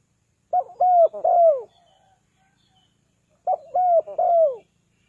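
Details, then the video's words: Two three-note coo phrases from a spotted dove calling birds down, about three seconds apart, each a quick stuttered note followed by two drawn-out, downward-sliding hoots, on a quiet background. "เสียงนกเขาใหญ่ 3กุกห้อย เรียกลงกุก2กุก"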